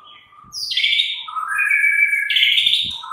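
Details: White-rumped shama afternoon song meant to trigger a captive bird to sing: sustained rich whistles, dropping from high to middle pitch and then stepping up again, with a soft knock underneath.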